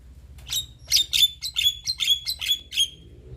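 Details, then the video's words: Young Javan myna giving a fast, uneven string of about eight harsh, squawky notes, each with a nasal whistled edge, at roughly two per second, over a soft low hum. "Kicauan Jalak Kebo Muda Gacor Mantap"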